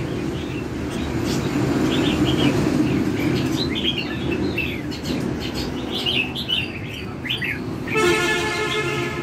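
Bright, chirpy bulbul phrases, quick and uneven, over a steady low traffic rumble; a car horn honks near the end.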